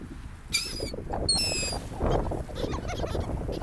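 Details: Seagulls at a sandy beach by the sea: two clear, nasal, harmonic cries in quick succession, the second slightly longer and level, followed by low rumbling surf and wind.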